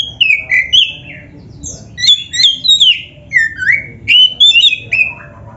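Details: Singing Oriental magpie-robin (kacer dada hitam) meant to trigger caged birds into song: loud fluty whistles sliding up and down in linked phrases, separated by brief gaps.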